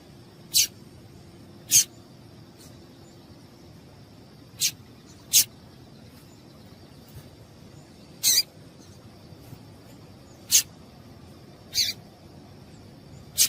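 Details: Calls of a female double-collared seedeater, used to stimulate males. About nine thin, high, clipped chips come at irregular gaps of one to three seconds against quiet background hiss.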